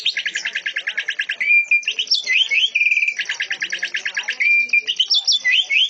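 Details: Canary-style song of a greater green leafbird: rapid stuttering trills alternate with short steady whistled notes and rising slurred phrases, all high-pitched, in continuous bursts with brief pauses.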